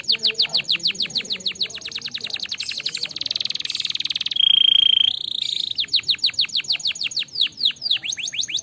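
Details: Canary song for stimulating canaries, full of rapid repeated downward-sweeping chirps, a buzzy trilled section, then a pure steady whistled note before the quick chirping resumes.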